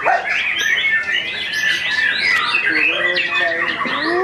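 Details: After its moult, a white-rumped shama is hung up for the first time during a training session and sings a dense stream of whistles, rising sweeps and short trills, with talking nearby.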